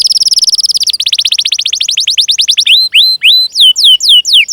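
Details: Long canary song with chirping and rolling phrases, played to coax young or silent canaries into singing. A rapid trill of short notes slows into spaced, swooping whistles that rise, then dip, repeated about every half second.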